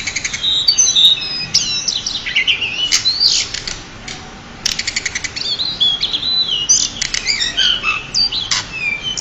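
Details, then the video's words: Pied bushchat, a champion singer used to tutor other birds, pours out a dense, fast medley of high whistles, sweeping slurs and dry rattling trills, briefly pausing near the middle before resuming. "burung decu juara untuk master"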